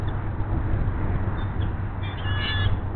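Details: Female bald eagle at the Hays nest, delighted as her mate brings a fish: a thin, high, squealing chatter late in the clip, almost drowned by a loud, constant low rumble of wind or camera noise.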